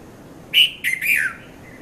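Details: Red-vented bulbul, known locally as Konda Kurulla, calling at dawn around 5:30 a.m. in Mount Lavinia, Sri Lanka: a bright three-note phrase, the final note sliding downward, then a faint trailing note.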